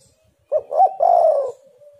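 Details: Spotted dove (tekukur) from a lure recording used to make doves sing: one low phrase of a short coo, a rising-falling coo and a drawn-out burry purr, in an otherwise quiet setting.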